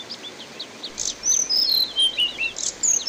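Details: Orange-headed thrush in a water-therapy recording meant to train songbirds: soft scattered chips, then loud sweet whistled notes stepping downward in a short sequence, backed by rushing watery noise.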